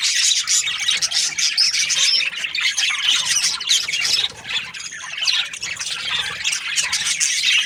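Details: Australian budgies chirping: a dense, continuous wall of high, scratchy chatter and squeaky warbles from several overlapping birds, steady and loud throughout with no pauses.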